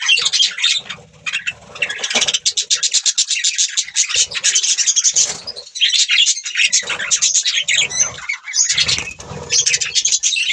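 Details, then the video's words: Budgerigars chattering continuously over ten seconds. Fast, buzzy trills and rapid squeaky warbling mix with soft low rustles and brief dips in the chatter. "Beautiful birds chirping sound | Budgie parrot sound"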